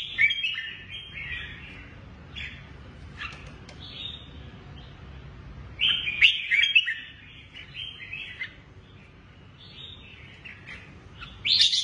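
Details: Lân Tê red-whiskered bulbul, caged, with a shrimp-curved back and drooping wings, shuttling between two perches. Rapid run of bubbly whistled notes, a louder cluster near the middle, then further chirpy phrases and a bright burst at the end.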